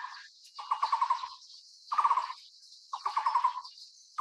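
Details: Taiwan barbet (Psilopogon nuchalis) giving low, hollow rattling bursts of rapid notes, each about half a second, repeated roughly every second, over a steady high hiss of insects.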